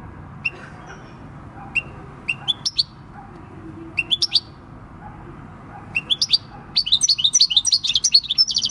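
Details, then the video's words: Six-year-old wild-caught field European goldfinch singing its natural countryside song, recorded 26 December 2019. Scattered sharp rising chirps open the recording, then a dense run of rapid, high, tinkling twitters fills the last two seconds over a faint low hum. "Goldfinch song"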